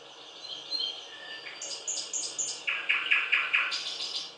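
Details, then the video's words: Thrush nightingale song, varied: soft warbled notes, a run of high whistles, then a rhythmic series of loud, knocking notes about five times, ending in a buzzier phrase. "Соловей поёт / Восточный соловей"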